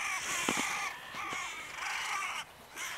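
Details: Crows calling in the evening: rough, drawn-out caws with rich overtones run almost without pause, one call blending into the next before a short quiet gap and a final caw.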